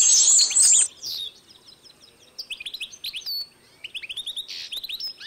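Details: European goldfinch x canary hybrid singing, 2012: a loud buzzy burst opens, then after a pause, bright rising and falling twittered notes come in quick clusters, high-pitched and chirpy.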